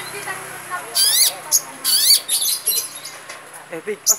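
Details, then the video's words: Long-tailed shrike in song: loud, harsh rapid series of high raspy chattering notes with sweeping buzzy phrases, bursts repeated with short gaps, a fainter low hum beneath. "Kicauan Burung Cendet"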